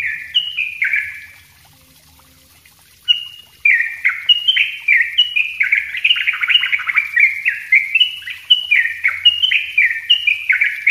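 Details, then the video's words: Yellow-vented bulbul in the 'ropel rapat' song style, used to lure birds and as a master for untrained birds. A short burst of gurgling notes is followed by a pause of about two seconds, then a long, dense run of quick, liquid, chattering phrases. "suara trucuk ropell rapat buat pancingan dan masteran trucuk bahan"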